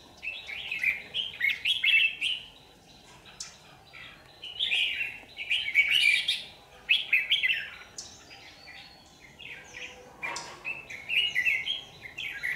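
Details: Red-whiskered bulbul calling as a trap lure, 27 January 2019: several bursts of rich, rapid warbling notes separated by brief pauses, with a faint sharp click near the middle.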